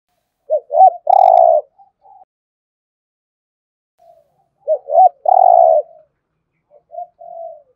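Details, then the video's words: A spotted dove coos in the 'giọng thổ' style used for stimulating cooing: two bursts, each of quick short notes leading into a loud sustained coo, separated by a long quiet gap with soft trailing coos. "cu gáy Thúc Gù giọng thổ, tiếng chim cu gáy kích bổi hiệu quả gù thổ"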